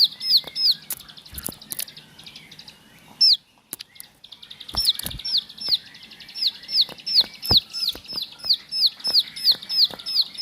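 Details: Bar-winged prinia, called ciblek sawah, kept at home, starting with scattered clicks and a few high notes, then settling into a fast regular chain of high, falling whistles about three per second.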